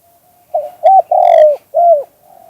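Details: Spotted dove coo phrase in the 2กุกห้อย style: a soft lead-in note, then two loud rounded coos and a final drawn-out falling coo, all mid-pitched and clear against silence.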